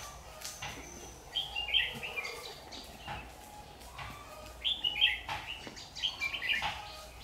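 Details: Red-whiskered bulbul used as a decoy bird for trapping, recorded 6 August 2019: short bright warbled phrases of chirps in two bursts, with wing flutters, rustling and a noisy outdoor background.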